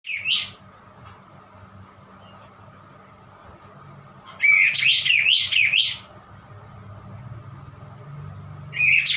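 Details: White-eye giving an odd-sounding song: short bursts of high, rapid, twittering notes that sweep up and down. One brief burst opens, a longer rippling phrase follows about four seconds later, and a third burst starts at the end. A faint steady low hum sits underneath.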